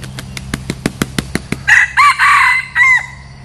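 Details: A decoy red junglefowl used to attract wild junglefowl gives about nine sharp regular clicks or taps, then a full crow of four harsh rasping bursts, the final one bending downward.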